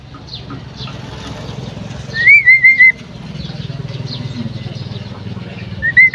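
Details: A female common myna gives a quick run of four arched, whistled notes lasting under a second. Softer chirps and a low rumbling background surround the run.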